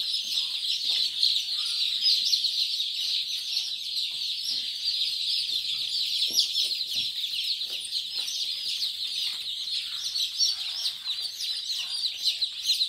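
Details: A crowd of Kadaknath day-old chicks at Singaperumal Koil in Chengalpattu district keeps up a steady, overlapping stream of sharp, high peeps for the whole stretch.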